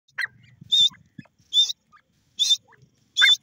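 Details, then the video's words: Grey francolin calling: shrill, high-pitched notes repeated about once every 0.8 seconds, each with a lower rising lead-in, over faint low rustling. "grey francolin bird voice,jungli dakhni teete rbird"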